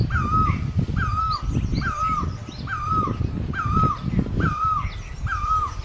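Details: Repeated loud notes of a great barbet in Asia, seven in a row, each with a quick rise and a wavering fall, against heavy low-frequency background noise and faint high calls of other birds.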